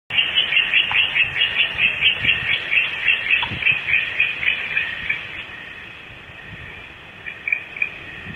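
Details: A pair of adult owls approaching a nest cavity at Starr Ranch at 10:25 pm on 7/4/12. A fast, high chittering runs in rapid bursts for about five seconds, then fades to faint notes over background hiss.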